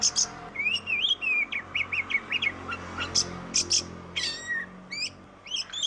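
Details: Oriental magpie-robin singing, meant as a lure to coax reluctant birds into song; a rising and falling whistled run, then quick high chips and sharp clipped notes over a faint low background hum.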